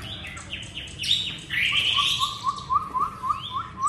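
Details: Chinese hwamei singing on a very cold day, a rich run of rapid downslurred whistles and buzzy phrases, then a series of short rising notes repeated about every quarter second, over low background hum.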